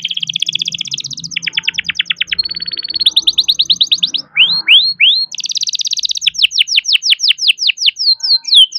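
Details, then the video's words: Young domestic canary in nonstop rolling song for encouraging reluctant singers: fast rattling trills at changing pitches, a steady whistled tone, looping swept notes, then rapid repeated downslurred chirps. "BURUNG KENARI GACOR NGEROL BISA JUGA BUAT PANCINGAN KENARI MALAS BUNYI"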